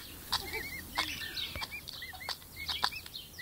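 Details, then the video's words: Pet emu chicks, five weeks old, giving short, high, arched whistled peeps in quick irregular succession, mixed with sharp clicking taps and a faint low hum behind. "Pet emu chicks 5 weeks old (Dromaius novaehollandiae)"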